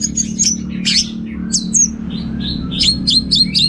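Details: Orange-headed thrush in energetic 'teler' style: fast high chirps, buzzy notes and short whistles in quick succession, with a steady low hum underneath.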